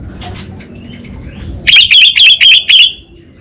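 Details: Orange-headed thrush kept in northern Bali, Singaraja, singing in the kabel konslet style. Faint whistles come first, then a run of five loud, harsh, crackling buzzy notes, evenly repeated about four per second.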